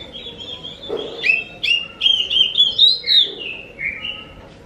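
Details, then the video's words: Lure song of an Oriental magpie-robin, meant to draw replies from other kacer birds: a quick series of clear whistled notes with sharp upward flicks, about seven phrases, then a softer falling ending; faint background hum. "Pancing burung Kacer anda dengan suara burung ini"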